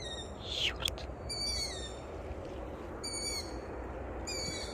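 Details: In a forest at night, about six or seven young long-eared owls give thin, high, creaking-gate squeaks about every one and a half seconds, calls that tell parents where they are and where to bring mice; low rumble, brief sharp noise near start.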